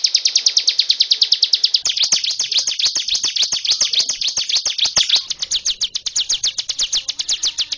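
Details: Prinia known as ciblek gunung in nonstop ngebren song: rapid high chipping notes in a long unbroken series, briefly louder and blurred in the middle before returning to crisp, evenly spaced strokes.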